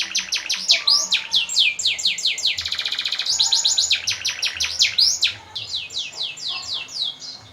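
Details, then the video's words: Canary song with long rolls, offered as master audio to prompt other birds such as murai and lovebirds to sing and for contests; continuous high, fast warbling of repeated sweeping notes, a rapid buzzy trill midway, phrases fading softer toward the end. "Suara Burung Kenari"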